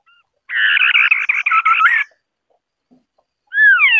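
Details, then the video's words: Rapid buzzy chattering from a white-browed scimitar babbler, lasting about a second and a half with a fluty rising note woven in, followed after a pause by a loud descending doubled whistle. "Tiếng chim Họa mi đất mày trắng ✅White-browed Scimitar-Babbler (Pomatorhinus schisticeps) singing"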